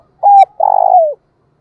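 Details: Decoy spotted dove cooing to provoke rivals; a brief steady low coo followed by a longer rolling, trilled coo that slides downward at its end.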